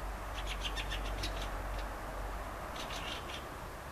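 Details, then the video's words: Rapid harsh chattering from a Fieldfare (Turdus pilaris): a fast run of scratchy chack notes, a pause, then a second burst, set against strong low-pitched background rumble. "Fieldfare ,Cesena (Turdus pilaris)"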